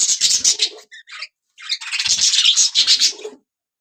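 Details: Budgie parrots singing: a rapid chatter of bright chirps, a pause with two short squeaks, then a longer burst of fast scratchy warbling that stops abruptly.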